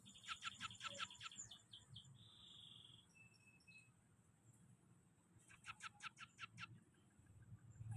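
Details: Scaly-breasted munia song with weaver imitation: fast clicking rattles, a drawn-out high whistle, and another rattling burst, against low background noise.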